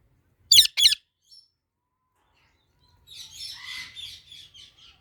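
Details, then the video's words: While eating mango, two pet parrots give a quick pair of loud, harsh squawks, followed by softer, scratchy chattering noises. "Parrots Making Cute Sounds"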